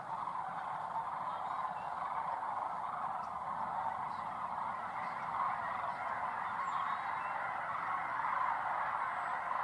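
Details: A large flock of sandhill cranes (Antigone canadensis) at Shillapoo Wildlife Refuge near Vancouver, Washington, taking flight alongside Canada geese, keeps up a dense chorus of overlapping rolling, trumpeting calls.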